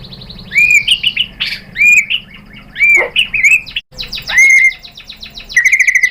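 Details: White-rumped shama rival-provoking song: repeated rising whistles each trailed by fluttering notes, a rougher sweep, and a final fast trill, with low background hum.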